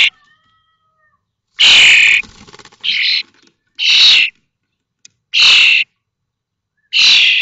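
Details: Young common starlings, 21 days old, in a nest box at Théding on 19 May 2024 during fledging: a faint whistle, then loud rough hissing screeches about once a second, with brief rattling noise.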